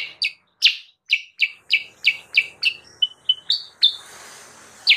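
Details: Lure recording for wild sooty-headed bulbuls: spaced, sharp chirps dropping in pitch, then a few short thin notes and a longer upswept note, with a soft hiss near the end.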